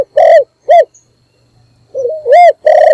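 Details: Spotted dove, a decoy bird calling in the morning to lure other doves: loud, low hollow coos, two short notes, a pause, then a wavering note followed by two more drawn-out coos.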